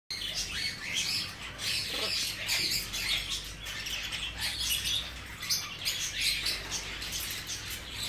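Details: Tame, hand-reared young male Blue-winged macaw, born in 2017, giving a dense run of harsh, high chirps and squawks that overlap almost without pause over a steady low hum.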